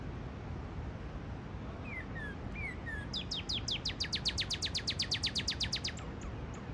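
A Northern cardinal sings a few soft slurred notes, then a fast run of about eighteen sharp, downslurred whistles, six a second, over a low steady rumble.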